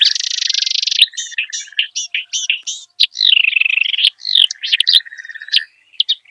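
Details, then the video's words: Kerak basi in the wild starts with a dense buzzy trill, then a jumble of squeaky, slurred and rasping notes of shifting pitch, mixing harsh tones with thin whistles. "Varian Ocehan KERAK BASI di ALAM LIAR"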